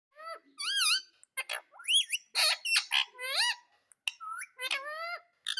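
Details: Pet ring-necked parakeet indoors, in a small room: a string of squeaky, nasal chattering notes with wavering whistled slurs and short harsh squawks, delivered in quick bursts with brief gaps over about five seconds.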